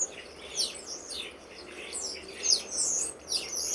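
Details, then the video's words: Common starlings in an autumn garden in October, part of a local flock of over 60 birds gathering and fighting; sharp, high chirps and downward-slurred squeaky notes in quick bursts, several overlapping birds calling. "Starlings in our Garden"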